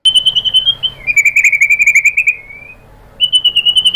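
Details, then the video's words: White-rumped shama song used as a lure to provoke a rival into answering: rapid pulsed trills, one high and steady, then a longer slightly lower buzzy trill, a short pause, and the high trill resumes. "pancingan MURAI BATU GACOR FIGHTER ampuh untuk menaikkan emosi biar NYAUT BONGKAR ISIAN"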